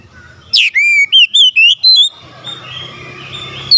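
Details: Oriental magpie-robin singing steadily to spur a reluctant bird: a high swooping note, then a quick string of six bright, slurred whistles, fading into a quiet background hum.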